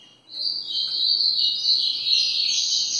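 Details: Double-collared seedeater delivering a dense, sustained high twitter after a brief quiet start, in the grego ferradura song style.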